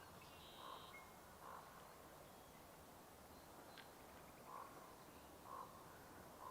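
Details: A distant Common Raven gives short, hoarse croaks at uneven one-to-three-second gaps on a warm, sunny early Sunday morning, 2 May, at Sargeant Bay, British Columbia, at high tide. It flies off over the trees. Another bird's thin, high whistle comes near the start.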